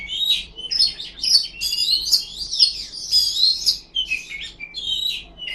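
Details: Kacer (Oriental magpie-robin) giving a loud ngipas-style song: tightly packed, varied high whistles and buzzy chirps in a steady flow, with a brief dip near the end before resuming.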